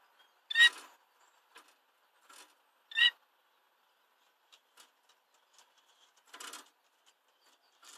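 A canary and bullfinch hybrid gives two clear, piping whistled notes about two and a half seconds apart. Soft chirps and faint clicks fill the gaps.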